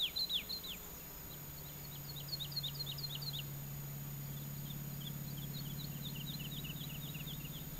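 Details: A woodlark on its territory by a cork oak over a fallow field in southern Alentejo, Portugal, about 20 m away, sings at 9 a.m. on 12 June 2010: runs of soft, fluty, downward-sliding notes in rising and falling phrases over a low drone.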